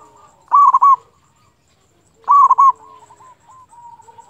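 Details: Local zebra dove in full song, played to stir rival or quiet doves to sing. Two loud clipped bursts of mellow cooing come about two seconds apart, with softer trailing coos after them.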